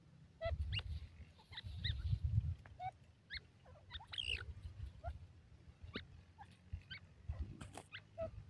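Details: Grey francolin, locally called gorela teetar or teter, giving short harmonic call notes in irregular bursts, some rising and some falling, over a steady low rumble of background noise.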